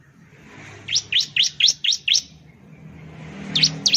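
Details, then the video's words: A bar-winged prinia (ciblek) sings a quick run of six sharp, high, upslurred chirps, about four per second, then two more after a pause. "suara burung ciblek/ciblek sound"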